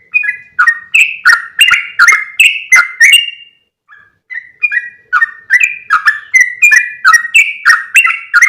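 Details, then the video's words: Calling yellow-vented bulbul used as a lure to attract other bulbuls. Quick, bubbly whistled chirps come in a rapid string, fall silent for about a second, then resume at a steady, lively pace. "SUARA PIKAT BURUNG TRUCUKAN"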